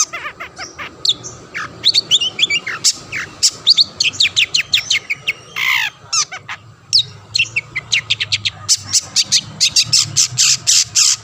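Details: Long-tailed shrike singing to provoke other shrikes, pouring out a long varied medley of quick whistles, downslurred notes and chatter, finishing with a rapid string of harsh clipped notes.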